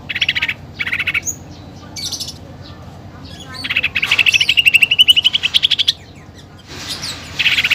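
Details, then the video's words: Greater green leafbird (cucak ijo) singing with 'tembakan' shots and mimicked fighting-sparrow and pelatuk bawang phrases: short chattering bursts, then a long rapid pulsed trill climbing steadily in pitch for about two seconds before another burst. "CUCAK IJO GACOR FULL ISIAN TEMBAKAN GEREJA TARUNG DAN PELATUK BAWANG"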